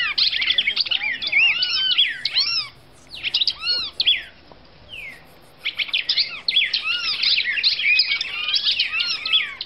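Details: Singing female red-crested cardinal from Brazil: bursts of looping, arched whistles and quick slurred notes packed into phrases of a few seconds, with a pause midway before another dense run, over faint background noise.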